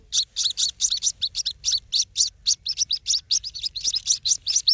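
White-breasted waterhen chick giving thin, high peeping chirps, about four or five a second, in a steady run with almost no background noise.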